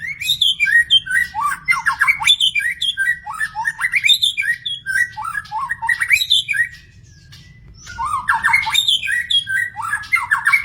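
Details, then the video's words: In the wild, a magpie-robin pours out a long, varied song of clear whistles, zigzagging phrases and crisp chirps, with a brief lull near the middle before the singing resumes. "burung murai di alam liar"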